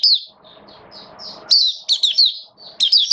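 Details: Oriental white-eye, kept songbird during wet weather on 8 October 2022; short high twitters and thin whistled notes, then a bright burst of rapid chirps over faint low noise.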